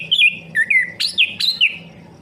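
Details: Orange-headed thrush, a stimulation song for a bird that has stopped singing: a rapid series of rich whistled notes, several swooping downward, about six phrases in two seconds, over a soft low hum.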